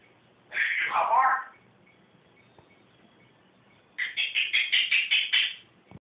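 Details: Pet bird at home calling the cat: a harsh, slurred descending squawk, a pause, then a quick series of about ten short, sharp, evenly spaced high notes.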